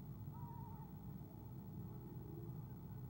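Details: Soft trill from an eastern screech owl filmed by an owl cam on 17 February 2015 when its mate comes in: a single wavering trill of about half a second against constant low-pitched background hum.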